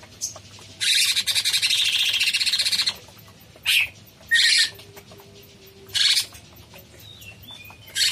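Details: Cucak cungkok bulbul song: a sustained harsh chattering phrase of about two seconds, then several shorter buzzy bursts spaced a second or more apart, with a thin descending whistle near the end.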